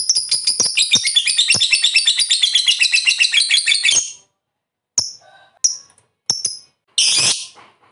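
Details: Lovebird ngekek, a rapid shrill chattering trill for about four seconds, then silence broken by a few short sharp chirps and a final harsh burst.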